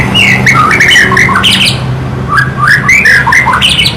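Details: Loud, continuous song from a White-rumped shama, full of rich slurred whistles, rolling warbles and buzzy chatters delivered in rapid, varied phrases, with a faint low hum underneath.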